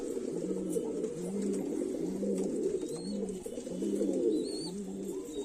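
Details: Highflyer pigeon (kabutar) from Moradabad giving low, rolling coos repeated about twice a second, each a short rising-falling throaty note, over a background of other pigeons murmuring and a few faint high squeaks.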